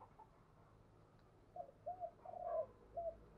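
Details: A spotted dove kept as a decoy for luring wild doves gives a soft series of four low coo notes, the third one longest, over steady low rumbling background noise.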